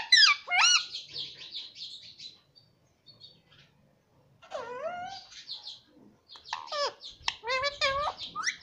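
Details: Pet rose-ringed parakeet known for saying "mummy papa": a loud, bending harmonic cry, a quiet gap, then clusters of wobbling tonal syllables and short chirps.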